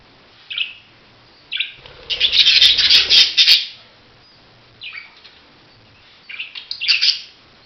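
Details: Budgerigar calls: a few scattered short chirps, then a loud dense burst of chattering lasting about two seconds, followed by more isolated chirps.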